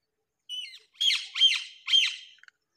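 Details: Hungry baby bird begging: a short whistled note, then three loud, harsh, rasping squawks about half a second apart, each sweeping down and back up, in a quiet indoor-sounding space.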